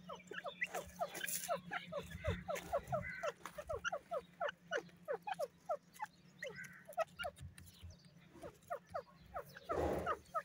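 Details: Irani teetar, a francolin, calls in a long series of short, sharp, downward-slurred notes, several per second, with brief pauses and a louder burst near the end, over a low steady hum.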